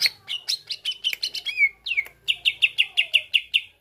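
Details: Greater green leafbird, kept as a singing bird, delivering song meant to spur other birds to sing: a jumbled run of varied sharp notes and a slurred whistle, followed by a steady string of loud repeated chips.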